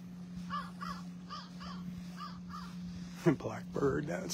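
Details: A blackbird on a Sunday morning beach walk at Delnor-Wiggins Pass State Park, North Naples, Florida, 22 September 2024, gives a run of six harsh, arching notes about every half second, over a steady low hum, before a man starts talking.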